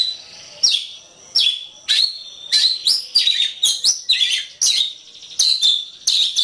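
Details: Oriental magpie-robin (kacer) on a songbird training recording: piercing slurred whistles and rattling trills, phrases starting about once a second, then running together into a busy stream.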